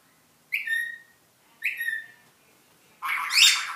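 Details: Pet rainbow lorikeet mimicking iPhone ringtones such as Boing, Duck, Robot and Sci-Fi: two tonal, harmonic whistles falling in pitch, a second apart, then a harsh, loud broadband screech; quiet room otherwise.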